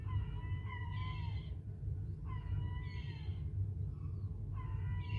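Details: Young gull chicks, recently hatched on rooftops in Whitby, running about: three drawn-out, harmonic wailing calls, each about a second long and slightly falling, over a steady low rumble.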